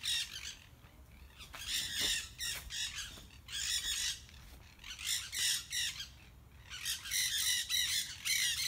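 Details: Parrots in the trees giving loud, harsh, raspy squawks in dense bursts, several birds overlapping, repeated in irregular clusters with short pauses between; faint outdoor background noise.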